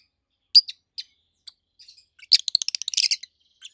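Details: Two rosy-faced lovebirds over a year old, red-head green opaline and white-head pallid aqua opaline, give scattered single sharp chirps, then a rapid loud burst of high stuttering shrieks near the end.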